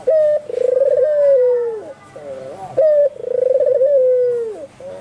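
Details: Two loud coos from a white albino Barbary dove calling hard: each starts with a crisp short note, runs into a long vibrating coo that drifts lower, and closes with a soft bubbling murmur.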